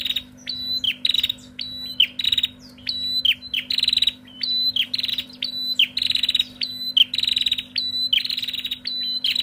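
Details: Female Bar-winged prinias answering each other noisily: a dense, rapid run of sharp clicking notes, each tied to a short high tonal chirp, repeated several times a second without pause, over a faint steady low hum.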